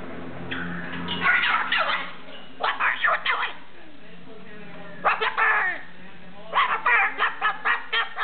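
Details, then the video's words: A pet cockatoo talks, saying phrases like "What are you doing, bird" and "Rub the bird", in harsh, speech-like bursts of syllables in three clustered runs, with people laughing and talking in the background. "Our Crazy Bird Cockatoo, Talking"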